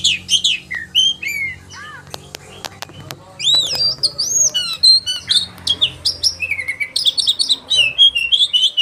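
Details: Oriental magpie-robin kept caged, delivering the sharp 'tembakan' and 'roll' song meant to push other magpie-robins to open their repertoire: varied looping whistles, sharp clicks, then a dense stream of rapid high trills and chatter.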